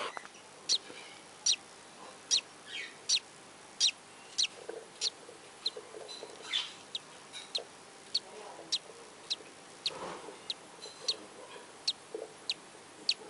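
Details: Newly hatched budgerigar chicks, two of them hatched from the clutch, give thin, high peeps from the nest, repeated steadily a little faster than once a second.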